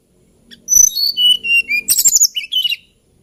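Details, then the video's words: Hill blue flycatcher song, described as sweetly lilting: a run of clear whistles stepping downward in pitch, then a dense cluster of quick high notes and a final warbled trill. "TLEDEKAN GUNUNG KICAU MERDU"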